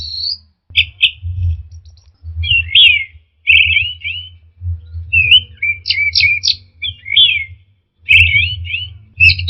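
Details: Orange-headed thrush song played as therapy to get caged birds answering and singing: varied whistled and buzzy phrases, many short rising and falling notes, broken by short pauses, over a steady low hum.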